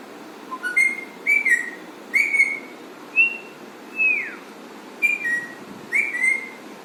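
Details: Captive alexandrine parrot giving funny sounds: a run of about eight clear, slurred whistles, each rising or falling, about one per second. One note near four seconds sweeps steeply downward. A faint steady room background lies beneath.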